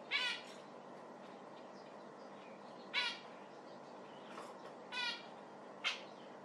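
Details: Zebra finch uttering five clipped, nasal, trumpet-like calls at irregular intervals of one to two seconds over a quiet hiss.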